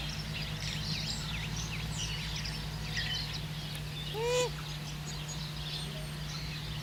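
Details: A pukeko (Australasian swamphen) preening at Nga Manu, New Zealand, gives one short, nasal squawk that dips at the end, against a steady low hum and busy high twittering from small birds.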